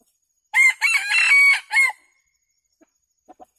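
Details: A red junglefowl decoy rooster calling wild junglefowl in to feed gives a single loud, hoarse crow of several broken, rasping syllables lasting about a second and a half, followed by a few faint clicks.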